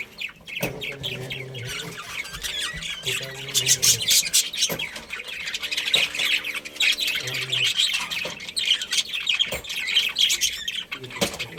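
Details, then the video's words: Budgerigar colony, a family of pet budgies, chattering continuously: dense, overlapping high scratchy chirps and squawks, several each second, with a low steady hum in the background. "Cute Budgies Chirping Sounds"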